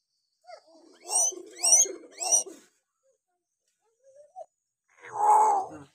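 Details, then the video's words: Hill myna on a recording used to stir silent mynas into calling back: three loud, raspy, rising calls in quick succession, a short soft whistle, then a broad, drawn-out nasal call. "masteran beo josss buat pancingan beo malas bunyi"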